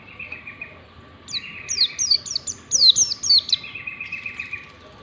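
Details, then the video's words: Training song in the ngalas style from a warbling white-eye: soft buzzy trills bracket a quick string of bright, high, falling whistles at about two per second, over a continuous low hum. "pancingan pleci ngalas standar 123, PLECI BELAJAR NGALAS LANGSUNG IKUT NGALAS"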